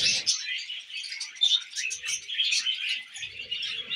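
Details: Short burst of tame budgerigars chattering over millet: busy high warbling with quick chirps and occasional whistled notes, plus faint low bumps.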